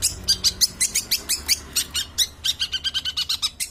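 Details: Long-tailed shrike singing a fast series of short, sharp, high chips and notes, about four to five per second, sometimes varying, over faint low background hum.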